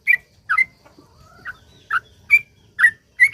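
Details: Sooty-headed bulbul in its long, rapid 'gacor ropel panjang' song style, used as a lure to get other bulbuls singing; short slurred whistled notes spaced about half a second apart, some paired, over faint low background rumble.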